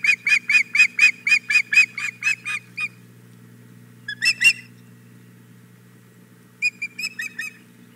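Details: At the Hog Island Boathouse nest on 4 May 2017, the female osprey begs for the male's fish. A long quick series of sharp whistled chirps for three seconds, then a short squealing note and a final softer cluster of chirps, low hum throughout.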